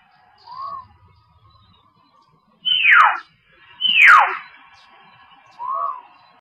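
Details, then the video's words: Common hill myna giving two loud, harsh downward-sweeping calls, framed by two short, soft, arched whistled notes, all within a few seconds. "Common Hill Myna"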